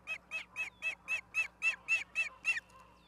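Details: Osprey at a nest in Charlo, Montana, on 17 August 2023 at 16:04, picked up by a live nest cam. About ten loud, piercing whistled notes come in a steady rapid series, roughly four each second, over a quiet background.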